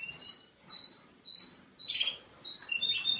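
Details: Yellow male Russian canary, ready for breeding, singing steady high whistled tones and short trills over a hissy indoor background with soft rustling.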